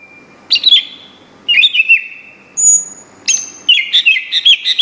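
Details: A greater green leafbird of national-contest calibre sings a steady whistle, then three loud bursts of tumbling, slurred high notes and a thin drawn-out whistle, ending in a rapid warbled run.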